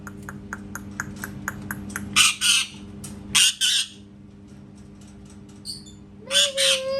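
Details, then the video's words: Parrot imitating a cat: a run of evenly spaced soft clicks, then loud harsh squawks, a pause, and a final squawk that ends in a drawn-out, meow-like tone, over steady low hum. "PARROT MAKING CAT SOUNDS"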